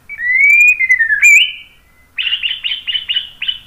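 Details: White-rumped shama song played to draw other birds into song: a long rising then falling clear whistle, a twist upward, a pause, then a short run of six buzzy repeated notes.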